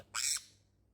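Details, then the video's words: Pet sun conure, kept almost three months and coaxed out of its box, gives one loud, harsh, high-pitched screech lasting about a quarter second, then falls quiet; described as extremely loud. "เสียงดัง8หลอดก็ยังแพ้นะครับแพ้เจ้าซันคอนัวของเรา"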